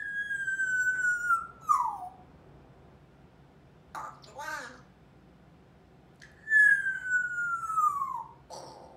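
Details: Female pet African grey parrot, 21 months old, with a growing vocabulary and fond of chatting indoors: two long clear whistles, each sliding downward, separated by a brief speech-like burst of words in a quiet room.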